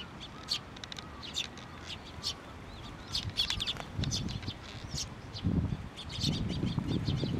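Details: Sparrows gathering at a water bridge at a Tenmangu shrine to be fed, 30 June 2023: many sharp, high chirps and tweets overlapping in quick succession, over low rumbling background noise and fluttering.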